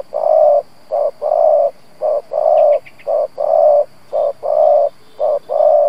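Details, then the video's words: Lure spotted dove delivering steady gù coos to excite wild doves: brief low notes alternating with longer held coos about once a second, with a few faint high chirps from another bird in the middle. "Cu gáy mồi Gù siết bổi nhập tàn, chim cu gáy kích bổi nhanh nổi"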